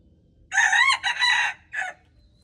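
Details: Red junglefowl, recorded February 13, 2025, giving a strident crow: a rising harsh opening, a sustained buzzy middle section and a short separate closing note over faint low background rumble.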